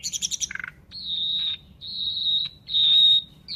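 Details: Nightingale singing: a burst of buzzy, stuttered notes, then three long, steady high whistles, each held for about half a second with short pauses between.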